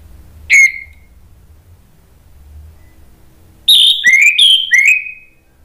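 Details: Lure song of an Orange-headed thrush, used to provoke rival thrushes to reply: a single sharp downslurred whistle, a long pause, then a quick cluster of four clear, falling whistled notes.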